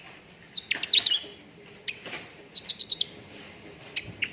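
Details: Training recording of a cucak ranting bulbul meant to get contest birds singing quickly. A quick cluster of bright chirps opens, followed by pauses and a string of short, evenly spaced high notes and a final squeaky note.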